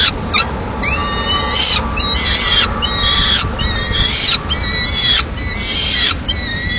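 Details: Lone peregrine falcon chick in Madrid, 22 May 2016, demanding food as the male brings a swift and the female takes it to eat at a window. Harsh, drawn-out screeching calls repeat almost back to back, over a faint steady hum.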